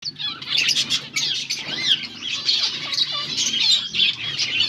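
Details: Finches eating green food on 17 August 2024 chirp continuously in a busy, overlapping chatter of high, thin twittering notes from several birds, with soft fluttering and rustling beneath.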